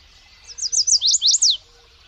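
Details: Bird song: a quick run of about eight bright, high chirps, each a sharp rising-then-falling whistle, delivered in just over a second against a quiet background.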